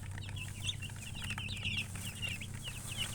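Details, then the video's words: Brief burst of chicken chirping with a hen nearby: quick, bright, slurred peeps tumbling over one another, some louder notes standing out, over a low rumbling hum. "silly chicken chirping sounds with murgi hen color chicken"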